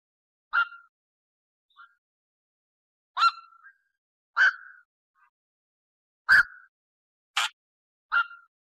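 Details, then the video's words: A single bird repeats a short, ringing call with a sharp onset and a brief trailing tone, about every one to two seconds, in otherwise quiet surroundings. "অক পাখির ডাক"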